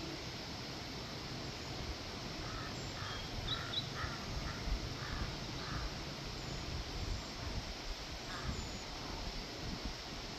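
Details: Series of fairly distant, rasping crow caws coming in a quick run of about six calls, then one more a few seconds later, over heavy steady background noise.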